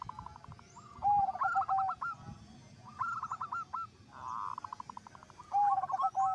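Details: Zebra doves singing along, one perkutut prompting others; repeated bursts of quick clipped coos with long low notes, several phrases separated by short pauses.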